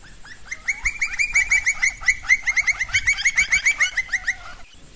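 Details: Campo flicker (Colaptes campestris) giving a fast run of loud, sharp, downslurred notes, about three to four per second, with overlapping calls suggesting more than one bird.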